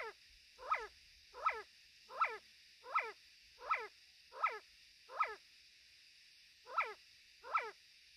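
A male Sand Partridge gives short, sharp, downslurred notes, repeated steadily a little under once a second.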